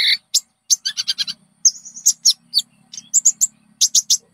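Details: Konin song played to lure and train caged birds: varied high chirps and short whistled slurs in quick succession, over a faint low hum.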